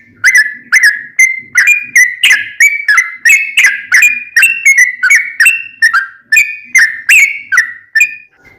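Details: Sooty-headed bulbul in long rapid-fire 'ropel' song, played as a lure to make other bulbuls sing back: a steady run of short, loud whistled notes, about three per second, wavering slightly up and down in pitch.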